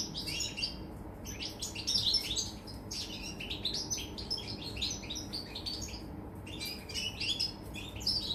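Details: European goldfinch recorded on 24 August 2019, giving a quick, high, tinkling twitter of short liquid notes and buzzy chips in continuous bursts over a steady low background hum.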